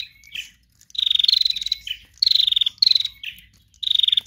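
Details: Lively female bar-winged prinia. Dense, rasping, pulsed bursts at high pitch come in quick succession, with short buzzy twitters and thin notes in between.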